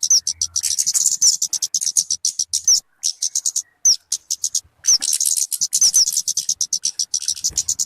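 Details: Kemade, or talokan, sounding in a way fit for luring or song tutoring: bursts of very fast high chips separated by short gaps, scattered with quick downward-slurred whistles.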